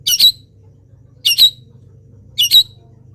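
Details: Moulting long-tailed shrike giving wild-bird imitations: three harsh, scratchy double-note squawks, each ending in a thin whistle, spaced about 1.2 seconds apart over a steady low hum.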